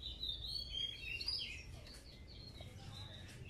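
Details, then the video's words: Female Oriental magpie-robin, in breeding condition and calling to males, used as a lure to get males singing: a quick run of varied, clear whistles and chirps, loudest early then fading, over a low background rumble. "Kacer betina gacor"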